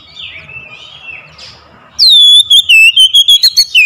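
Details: Oriental magpie-robin sung as a lure for a reluctant singer, starting after soft distant chirps with a loud downward-sweeping whistle, then a rapid run of clear rolling notes.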